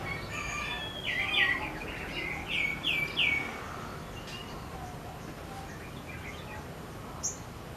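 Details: Sogon singing vigorously with wings spread, a burst of bright chirps and short slurred notes around the middle, then scattered faint twitters over a quiet background.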